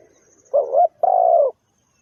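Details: Spotted dove giving one clean two-part coo: a short wavering note, a brief gap, then a longer, smooth, slightly falling coo, with quiet background.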